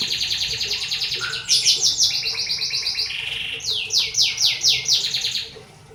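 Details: Canary song: loud, high rapid trills and rattling note series, shifting between fast buzzy rolls and sweeping repeated chips in pulses, with a faint low hum underneath.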